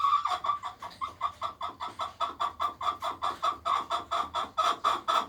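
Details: Hen singing around egg laying, with a continuous rhythmic string of harsh, nasal clucks about three to four per second, steady in loudness throughout.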